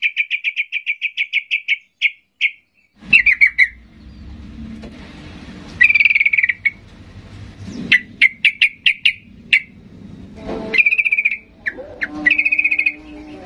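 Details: Sooty-headed bulbul in an agitated, fired-up song meant to provoke silent bulbuls into answering. Bursts of rapid chattering notes repeat in quick trills, with short pauses and some low background hum between phrases.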